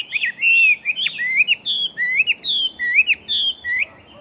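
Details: Large-bodied fighting Chinese hwamei singing readily: a run of clear whistled notes, each sliding upward then dropping, repeated about twice a second in loud, separate bursts, fading at the end.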